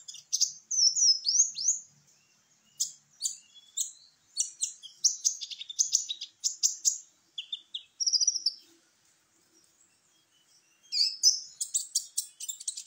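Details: Sunbird known locally as kolibri ninja, singing as a lure to prompt other birds to sing: very high, thin twittering phrases and quick chirps in bursts, broken by short silences.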